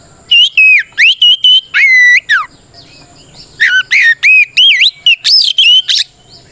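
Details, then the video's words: White-rumped shama delivering a loud provoking song to draw replies from other shamas; clear whistles, descending slurs and quick chips in two energetic bursts separated by a brief pause. "Suara Burung kacer gacor NGEPLONG tarung ini paling ampuh buat PANCINGAN KACER agar EMOSI Nyaut"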